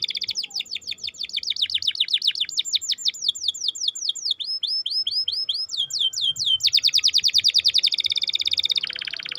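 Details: Canary song used to get a silent bird singing, rolling through varied trills of swept chirps at changing speeds, ending in a dense, fast buzzing roll.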